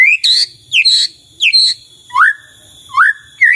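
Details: White-rumped shama song meant to set other shamas answering: loud separate whistled notes, some rising, some dropping, spaced roughly every half second, with a faint continuous high tone behind.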